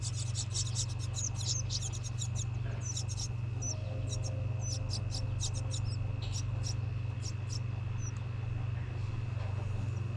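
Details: House wren nestlings in New England, in a nest box made from a recycled license plate outside a home, beg while being fed: a dense burst of very high, thin chips repeated rapidly, then sparser, over a steady low hum.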